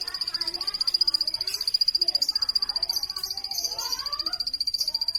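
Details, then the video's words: Plain prinia producing a rapid, even trill of thin high notes, nearly four per second, with soft scattered bird calls and chatter underneath. "plain prinia bird chirping"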